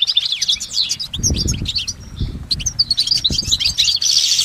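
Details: Wild goldfinch in nature delivering its long, layered song: quick high twitters and slurred notes broken by short gaps, ending in a dense chattering trill, with some low knocking sounds underneath.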